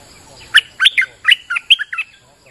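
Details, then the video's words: Lively bulbul lure song recorded in the rain: a quick run of about eight liquid, chirpy whistled notes, some slurring up and down, then a pause. "Suara pikat merbah lekir gacor"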